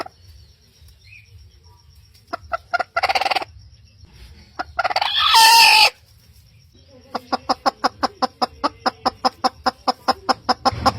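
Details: Rooster crowing in the morning: a brief harsh drawn-out crow near the middle, framed by short bursts and a long run of sharp rapid clucks or pecking taps repeating almost three times a second.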